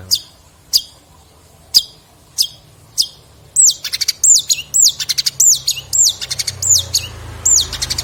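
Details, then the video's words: Long-tailed shrike training song with fill-ins: single sharp high chips spaced about a second apart, then repeated loud swooping whistles alternating with quick clicky bursts. "Burung Cendet materi MEWAH"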